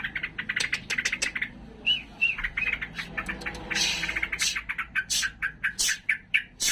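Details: A sooty-headed bulbul sings excitedly in a fighting mood: fast rhythmic chattering notes, a pair of short whistled phrases near two seconds, then louder sharp clipped notes repeating about twice per second, with low background rumble.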